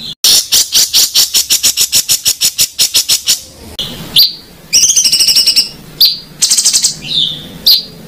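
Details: Contest-bird master song with rough rolling material: a long fast series of loud harsh notes, followed by buzzy trills and short high whistles.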